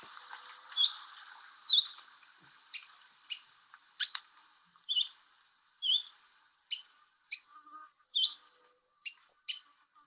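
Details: Cuban Oriole, endemic to Cuba, calling from a flowering tree: short, sharp downslurred call notes about once a second over a steady high-pitched hum, possibly bees.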